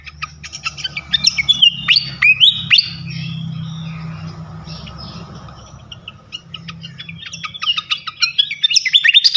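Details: Flycatcher song for provoking other flycatchers: quick high chirps and sliding whistles at the start, a quieter stretch with low hum, then rapid sharp notes returning at the end.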